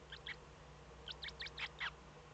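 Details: Eurasian eagle-owl nest in the Eifel, Germany, early morning of 8 April 2014 around 05:36, just after the first chick hatched; faint, thin high cheeps in short bursts over a steady low hum.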